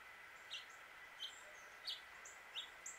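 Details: Male house finch calling, singing and chirping in Suffolk, Virginia, USA: short, bright chirps about every two-thirds of a second, with thin higher notes between, over a steady background hiss.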